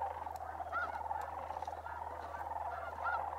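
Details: Migrating sandhill cranes at Bosque del Apache Wildlife Refuge, New Mexico, in December: a dense, steady chorus of many rolling, trumpeting calls blending together, with a few higher notes popping out now and then over a low constant hum.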